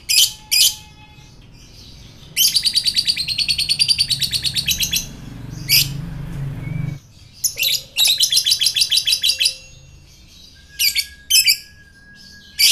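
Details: Fighter lovebird ngekek, the long chattering song used as a lure to provoke other fighter lovebirds: long runs of rapid, evenly repeated high harsh notes lasting over two seconds each, separated by single sharp chirps and short pauses.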